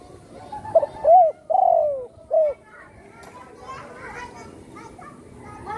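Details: Spotted dove, injured by a shot that broke its wing, now kept at home and cooing readily. A loud phrase opens with stuttered notes, an arched coo, a long sliding coo and a short end note, followed by faint chatter.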